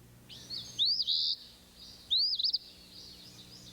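Ash-throated Flycatcher giving two burry, rolling calls about a second and a half apart, each a quick series of rising and falling notes; faint background hum.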